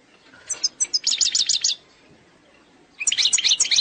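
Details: Eastern sector song of an Algerian goldfinch, called fault-free: a few spaced high chips leading into a rapid run of sharp repeated notes, a pause, then a dense burst of bright twittering.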